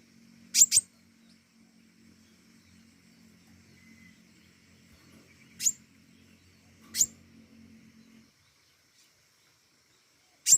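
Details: Flowerpecker known as pentis raja giving sparse, piercing high chips: a doubled tick, then single thin ticks at irregular gaps several seconds apart, over a faint low hum that stops partway.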